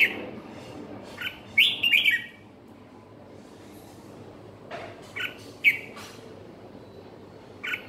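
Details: Red-whiskered bulbul in ché style, giving short harsh chattered phrases near two seconds, then clipped bright notes around five and six seconds, separated by near silence with faint low background noise.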